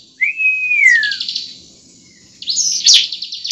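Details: Fighting song of bar-winged prinia meant to get a bird singing: a long gently falling whistle followed by a buzzy rattling trill, then another harsh trill with sharp chips.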